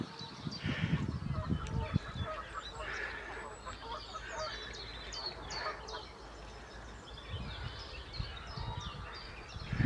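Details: In spring, Canada geese give a steady chorus of overlapping nasal honks, many birds calling at once, over a heavy low rumble of wind.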